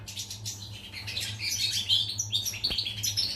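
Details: European goldfinch in song, dated 14 July 2019: fast, irregular bursts of sharp metallic chirps and tinkling warbles, busy and high, with a constant mechanical hum in the background.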